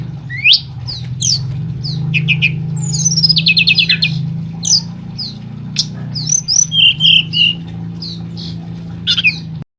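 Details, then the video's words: Forktail singing actively at night as a lure meant to excite other birds into answering: sharp, high whistled notes and short rising slurs at irregular intervals, with a brief descending trill, over a steady low hum. "Tledekan Gunung Gacor Malam || Suara Pancingan"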